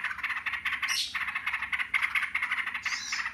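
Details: Yellow-vented bulbuls answering one another with "ngebren" rattling: continuous buzzy, pulsed chatter with brief high squeaky sweeps near the start and end.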